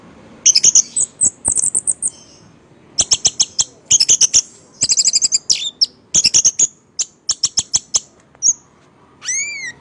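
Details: A captive orange-headed thrush (Geokichla citrina) in full song sings loud, high, varied bursts of sharp chips and rich whistled phrases, pausing briefly between runs, then ends on a few rising slurred notes.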